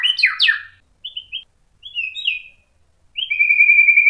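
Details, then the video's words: White-rumped shama song meant to provoke other shamas: sharp sweeping notes, short whistled phrases separated by pauses, ending in a long steady high whistle. "KICAUAN MURAI BATU bikin NYAUT EMOSI jadi BUNYI GACOR NGEPLONG BONGKAR ISIAN | PANCINGAN MURAI"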